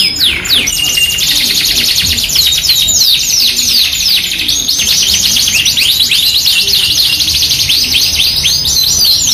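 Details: Yorkshire canary sung as a tutor and lure for other canaries, giving quick descending whistled sweeps that merge into dense fast trills and rattling rolls, high and continuous without pauses.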